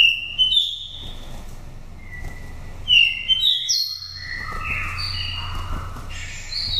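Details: Oriental magpie-robin, wild bird from Dak Lak with five moult seasons, its pure forest voice used to stimulate captive birds or trap wild ones: spaced whistles and slurred phrases over a low continuous hum.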